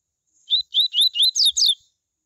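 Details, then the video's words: A coleiro's tui tui song, used to stimulate other coleiros to sing: a crisp sequence of six looping whistles delivered within about a second, the final notes climbing higher and more piercing, with near silence around them. "COLEIRO tui tui A MELHOR CAMPEADA para ESQUENTAR COLEIROS"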